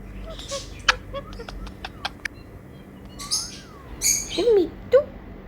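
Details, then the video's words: A pet Indian ringneck (rose-ringed) parakeet, responding to talking-parrot videos, gives sharp clicks, short chirps and a few sliding whistled notes in quick, uneven bursts, over a faint background hum. "Cute Talking Parrot"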